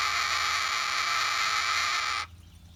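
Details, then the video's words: Rescued captive cockatoo at rest produces a drawn-out, even, breathy rasping noise for just over two seconds, cutting off sharply into near silence. "Cockatoo makes interesting sound while relaxing"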